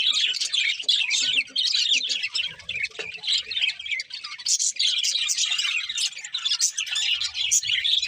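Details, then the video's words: Happy budgerigars sing while eating, a dense, continuous warbling chatter of high, scratchy chirps and squawky notes layered over one another, with barely a pause through the whole stretch. "Happy Budgies Singing and Eating"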